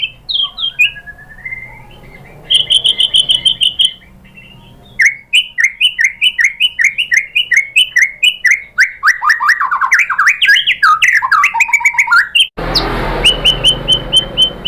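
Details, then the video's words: White-rumped shama (murai batu) song used as a lure to provoke other shamas into singing: high whistles, a sustained trill near 2.5 s, then a rapid run of repeated slurred notes, ending in a burst of loud broadband noise. "memancing EMOSI MURAI BATU biar ikut GACOR BONGKAR MATERI ISIAN ¦ PANCINGAN MURAI ¦ SHAMA BIRD"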